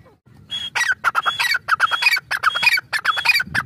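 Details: After a quiet start, a grey francolin (teetar) bursts into loud, rasping, quickly repeated phrases, each with a brief high whistled note, continuing in a steady rhythm.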